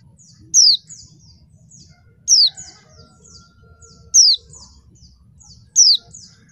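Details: Caged female mountain white-eye used as bait to get reluctant males singing and agitated; loud high chirps sweeping steeply downward, each followed by a few softer notes, repeating roughly every two seconds over faint low hum.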